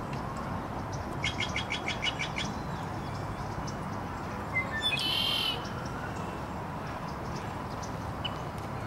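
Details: Red-winged blackbird (Agelaius phoeniceus) call: a quick run of six or seven dry clicking notes, then a short harsh buzzy trill with a thin whistle, over steady rushing background noise.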